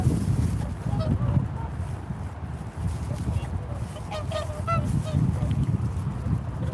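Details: Swan voices: soft trumpeting honks early on, then a livelier cluster of overlapping honks past the four-second mark, with heavy wind rumble underneath.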